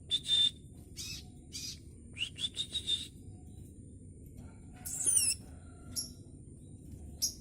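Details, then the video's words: A juvenile scarlet minivet in speckled plumage learns to sing, mixing thin level whistles and short chirps in quick little series, then a rough, buzzy high burst and scattered later notes, with a steady faint hum behind. "Kicau sepah raja trotol"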